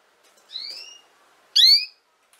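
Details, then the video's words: Canary sound meant for teaching young canaries to sing: a thin rising whistle, then a louder, rich upward-swooping note with bright overtones. There is a short silence between them and no other sounds. "Chant De Canari Pour Apprendre Au Jeune Canaries"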